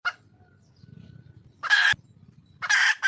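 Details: Wild red junglefowl hen calling for a male: two harsh, broadband squawks about a second apart after a short opening note, over a low rumbling background.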